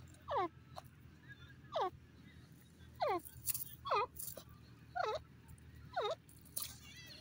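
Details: Grey francolin, also called grey partridge, giving loud, ringing calls, each a short descending then rising note, repeated roughly once a second, against faint rural background noise.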